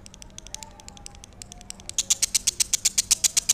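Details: Lovebird starting with softer, irregular high chirps, then breaking into a loud, regular rattle of piercing notes, about four per second.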